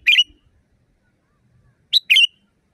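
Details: Sooty-headed bulbul in a natural setting, used as a training recording for caged birds: a sharp high note and a fuller bubbly chirp, then after a pause another quick two-part phrase.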